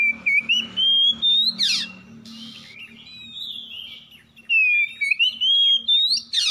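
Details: Morning exchange between oriental magpie-robins (kacer), harsh 'kasar' style. Long rising whistled slurs alternate with loud clipped notes and brief harsh buzzes, over a steady low hum.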